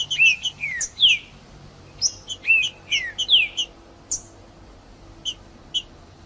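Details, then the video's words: Green-winged saltator singing to heat up other males: rich descending whistles interleaved with high chips in the first half, then sparse, isolated short chip notes. "Trinca-ferro Macheando com Trinca ferro cantando Para Esquentar Trinca ferro"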